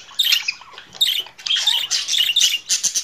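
A budgerigar chatters in a fast, scratchy warble of high chirps and squawks, in bursts about every half second, with no other sounds.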